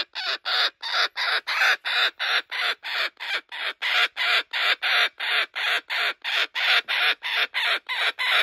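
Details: Possessive sanctuary kookaburra, a male guarding a stuffed toy taken from a joey, keeps up a long, steady chain of coarse, ratcheting hoots, roughly three per second.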